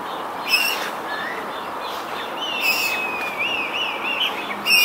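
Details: Eurasian coot family in the wild, recorded on a Sony RX10 III: thin, high wavering squeaks and sharp clicks repeated irregularly, one longer undulating whistle near the end, over a steady background hiss.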